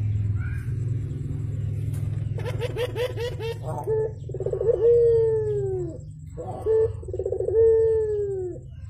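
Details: Javan turtle dove calling in the morning: a burst of rapid wavering notes leads into rolled, purring coos that fall in pitch, a short clipped note between them, low hum underneath.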